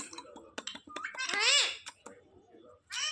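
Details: Pet Indian ringneck parakeet practising speech after daily training: ticking clicks, then a swelling, strained, rising-and-falling voiced phrase, and a final bright harmonic squeak.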